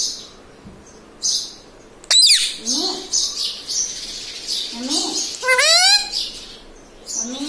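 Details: Pet parrot mimicking words like mummy: a sharp squawk, low sliding voiced phrases, then a steeply rising harmonic call amid hissy noise bursts.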